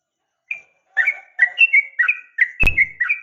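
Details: Female sooty-headed bulbul voicing an 'uplik tarung' call to provoke males: a loose string of whistled two-part chirps, alternating higher and lower, with one sharp click partway through.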